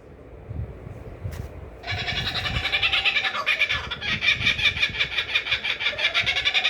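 A kookaburra's loud, harsh cackling laugh bursts in after a low rumble, a rapid run of raucous chuckling pulses, about three a second, rising and falling.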